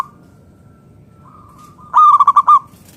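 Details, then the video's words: Local zebra dove (perkutut) delivering one loud phrase of quick, bouncing coo pulses near the end, after a faint sustained background coo; the song is used to draw other doves into calling. "PERKUTUT LOKAL GACOR SUARA PALING AMPUH UNTUK PANCINGAN BURUNG PERKUTUT AGAR NYAUT BUNYI GACOR"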